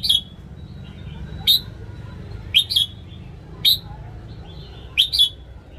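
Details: Red-whiskered bulbul morning song for training cage birds: short sharp whistled notes, some paired, repeated about every second, five bursts in a row, each bright and clipped, over quiet low hum.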